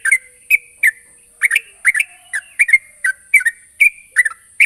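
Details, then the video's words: Rival-calling sooty-headed bulbul repeating short, bright chirps and two-note phrases at an uneven pace, backed by a continuous faint high-pitched whine. "suara burung trucukan gacor memanggil lawan"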